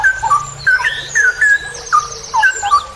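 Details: Straw-headed bulbul (cucak rowo) in long ropel style, a training recording for songbird keepers: bubbling whistled phrases repeated about twice a second, each with a downward slur, and faint high twittering behind.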